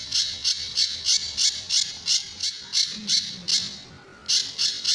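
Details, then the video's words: Sunda bush warbler master song with the characteristic tembakan and besetan styles, used to train other birds to keep singing: harsh buzzy high notes repeated about three times a second, with a brief pause near the end. "Burung Pijantur Gacor"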